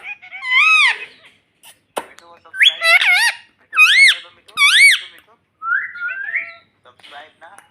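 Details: Talking pet parrot repeating "mummy": a run of shrill, harmonic, arched syllables, several in quick succession, then a brief rising squeaky phrase and softer trailing chatter.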